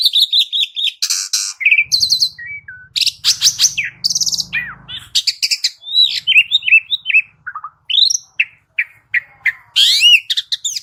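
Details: Continuous Asian pied starling song used to spur other starlings to sing, with fast chattering trills, slurred whistles, and scattered sharp chirps, plus a faint low hum in the background.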